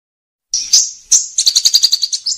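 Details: White-rumped shama, gacor (in full song) murai batu in a kretekan used to provoke and speed up singing: a high whistled note, then a rapid train of about twelve sharp, evenly spaced clicks near the top of the range.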